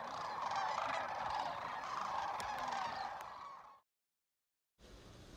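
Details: Thousands of wintering Sandhill Cranes resting in water along the shore at Whitewater Draw, southeast Arizona, January 2021, during drought, give rolling, trumpeting rattles blending into a steady roar, then cut to silence and faint background noise.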